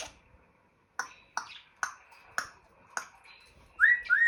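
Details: Captive male African grey parrot imitating noises: a series of crisp pops about every half second, followed by two bright, rising electronic-style whistles.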